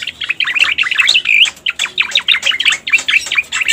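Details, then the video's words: Lure recording of a striated grassbird, known locally as cica koreng or cucak koreng: fast, tumbling phrases of sharp chirps and looping slurred notes, packed tightly and delivered in an unbroken, lively stream. "Suara Pikat Burung Cica Koreng"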